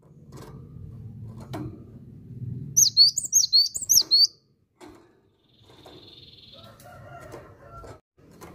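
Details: Amid low household rumble, a cinereous tit gives a brief phrase of about six piercing, swooping whistled notes, then a faint steady tone and soft clicks follow.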